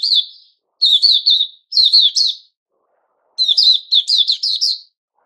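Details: Recorded 6 September 2021, a caged white-crowned shama growing new feathers sings three short bursts of quick, descending whistled notes. A silent gap follows, then a longer, brighter phrase.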